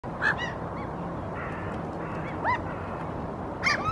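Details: Eurasian oystercatcher standing on a rock and gesturing with its wings, giving three loud, sharp piping calls spaced a second or two apart over a steady rush of wind or surf; Helsinki, Finland, April 2023.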